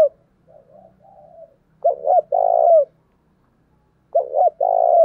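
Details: Spotted dove decoy singing to draw wild birds in, Vietnam. Soft low murmuring first, then two loud phrases of two short hollow notes and a drawn-out, vibrating coo that slides down.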